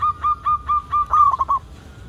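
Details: Local zebra dove singing as a lure to set other zebra doves calling: five even, ringing notes about a quarter-second apart, closing in a fast, wavering cluster of coos.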